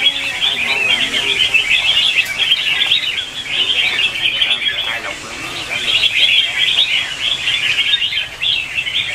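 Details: Competitive morning song of red-whiskered bulbuls, used as lure audio to provoke caged birds into singing. Bursts of rapid, sweet chirps and trills from several birds overlap, rising and easing in waves roughly every few seconds.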